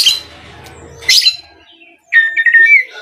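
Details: Oriental magpie-robin lure song for provoking other birds: a rasping burst over low background noise, a pause, then a quick run of whistled notes.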